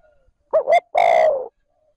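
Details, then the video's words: Single 'trơn ròng' phrase from a caged decoy spotted dove calling to lure wild doves: two short rounded notes, then one sustained, gently falling coo lasting about half a second. "Tiếng cu gáy trơn ròng thúc gù gáy kích bổi nhanh nổi / Cu gáy gọi trơn ròng"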